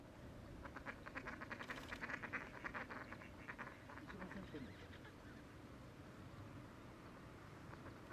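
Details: Female Ring-necked duck giving a quick run of short, rough, clipped notes for about four seconds, over a steady low rumble of wind or water.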